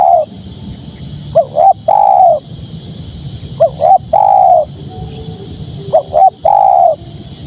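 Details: Spotted dove song repeated three times, each phrase two brief rising coos and a longer falling coo, with gaps of about two seconds.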